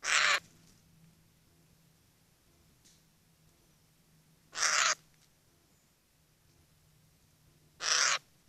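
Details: Eurasian jay in the Eifel, Germany, giving three harsh, rasping screeches, each about a third of a second long, spaced several seconds apart over a quiet, low hum.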